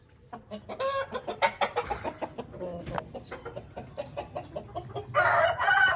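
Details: Home-bred Aseel rooster giving a run of short, sharp clucks at a steady pace, ending in a louder, harsher drawn-out call.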